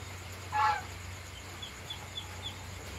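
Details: Goose walking at night gives one loud, harsh, nasal honk lasting about a third of a second, followed by faint, high, repeated chirps and a steady low hum in the background.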